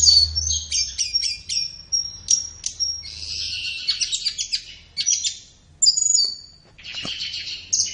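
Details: Flowerpecker singing in a master track for training birds, morning or afternoon: quick staccato chips in a row, then a tumbling jumble of thin whistles and buzzy notes, ending in a harsh burst.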